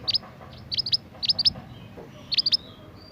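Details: Young forest scarlet minivet in full song, giving high, bright chirps in tight groups of two or three, each group repeated about every half second over a soft low background hum.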